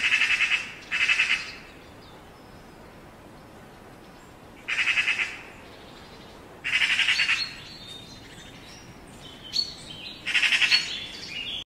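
Eurasian magpie giving harsh, rapid chattering rattles in five short bursts, each under a second, with a few thin, high chirps between them.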